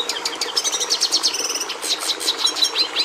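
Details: A red siskin (Carduelis cucullata) pours out a rapid, high twittering song of sharp chips, quick sliding notes and a brief buzzy trill in the middle.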